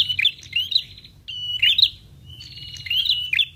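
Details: Lure sound for attracting prinias, which answer it: three bursts of high, sharp chirps and flat, buzzy trilled notes, each burst about a second long, with quiet low rumble beneath.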